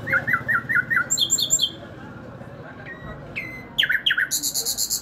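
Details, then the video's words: Nightingale in song, opening with rapid repeated mid-pitched chirps, a short series of higher trilled notes, a pause, then sharp downslurred whistles and a closing rapid, very high buzzy rattle; low background hum throughout. "Nightingale bird Singing|ہزار داستان بلبل|عندلیب بلبل"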